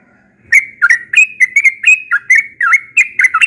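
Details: Yellow-vented bulbul, a bird said to sing often in the morning, bursting into a bright, chattering run of bubbly whistles, about fourteen notes in three seconds, several with fast dips and rises.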